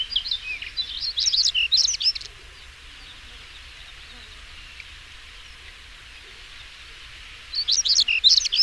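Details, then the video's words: European stonechat singing two separate high, scratchy twittering phrases of chirps and squeaky notes, split by several seconds of near silence with only soft background hiss. "Der Gesang des Schwarzkehlchens"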